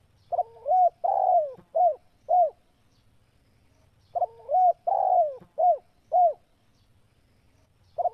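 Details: Spotted dove calling: two phrases of low soft cooing notes, each a quick run of four or five hoots with one longer drawn coo, separated by a pause of about two seconds, over faint low background rumble.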